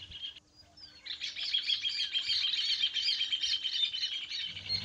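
Rufous hornero giving a loud, rapid, high chattering series of ringing notes that runs on for several seconds, with a faint low hum underneath.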